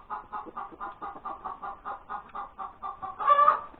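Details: Egg-laying hen, breakfast time, January 31, 2021: a steady metronome-like series of about fifteen clucks, roughly four per second, capped by one loud, drawn-out squawk at the end.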